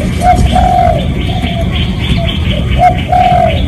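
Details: Recorded spotted dove lure call for drawing other doves: mellow coos, a long hollow phrase near the start and another pair at the end, with softer notes between and a low steady rumble.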